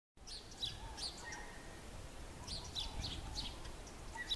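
Bushtit giving thin, high twittering notes in short bursts, with a faint lower trill, over steady low background rumble.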